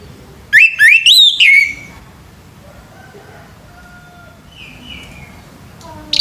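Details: Male orange-headed thrush singing in the morning: a loud run of four rising, warbling whistled phrases, then quieter distant whistles.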